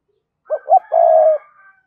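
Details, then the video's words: Spotted dove kept as a decoy to stir up wild doves. It gives a three-part phrase, two brief hooting notes and then a drawn-out even coo. A faint tail of sound follows the phrase. "Chim Cu Mồi thúc và gáy gọi mở lên kích bổi"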